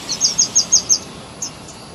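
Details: A nightingale, possibly a thrush nightingale, singing in spring delivers a rapid run of five bright, high chirped notes, evenly spaced, then a single matching note after a short pause; faint background hiss.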